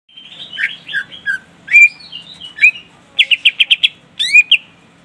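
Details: Greater green leafbird singing loudly to call a rival, a varied run of whistled slurs and squawky notes mostly between two and four kilohertz, ending in a quick burst of five rapid chattering notes and a sharp whistled slur; faint low hum beneath.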